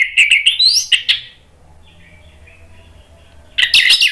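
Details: Rival-provoking song from an orange-headed thrush: a rapid, twittering phrase climbing into a rising whistle, then near silence, before another loud burst of high warbling begins.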